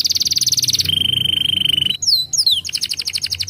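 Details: Canary song used to arouse breeding urge in young canaries: a rapid high trill changes to a lower steady buzzing roll, a pause, two swooping whistles, then another fast pulsed trill.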